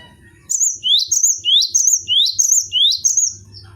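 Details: Caged cinereous tit (gelatik batu) singing tutor song: clear two-note whistled phrases, each a rising low note and then a higher sliding whistle, repeated rapidly about seven times, with faint low background rumble.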